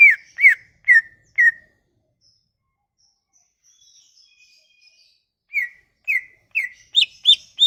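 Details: Sumatran leafbird song, used to lure silent leafbirds: four quick falling whistles, a long pause, then a faster series ending in higher, sharper repeated notes.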